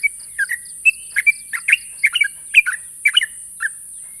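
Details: Sooty-headed bulbul challenging a rival, said to trigger an instant reply from other bulbuls: short warbled chirps and paired liquid notes at an uneven pace, with constant high-pitched background hiss and faint rhythmic ticking.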